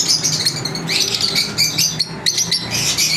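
Lovebirds chirping in dense, overlapping high-pitched twitters and squeaky chatter, with bursts of shrill notes throughout.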